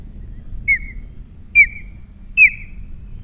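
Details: Osprey at a Captiva nest camera with three chicks, 21 February 2022: three loud, high, whistled chirps, each sharply down-slurred and slightly trailing, about 0.8 seconds apart, over a low steady hum.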